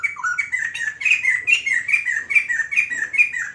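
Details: Rapid, bubbling laughingthrush song from a White-crested laughingthrush: clear whistled notes jumping up and down in quick succession, over two per second, with a slightly rough edge, filling the whole stretch.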